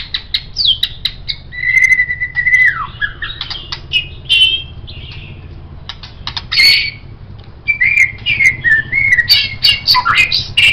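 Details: White-rumped shama, a master song for songbirds, singing long varied phrases of whistles, trills and sharp clicks, with a sustained steady whistle and fast chattering runs.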